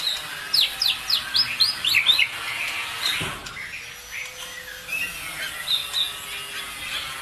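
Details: Bird song used to provoke other birds to sing: a quick series of about eight sharp, downslurred chirps in the first two seconds, then quieter scattered high notes against a hissing background.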